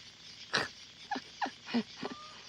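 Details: A hen lays an egg at around midnight, giving her egg-laying cackle: five short, harsh, clipped clucks spaced roughly a third to half a second apart over a quiet background.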